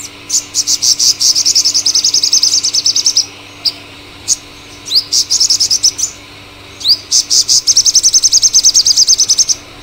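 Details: Loud, rapid trilled song of a Purple sunbird, Cinnyris asiaticus: long bursts of fast, even, high-pitched pulses, broken by brief gaps and a couple of upward-swept notes, over a faint steady low hum.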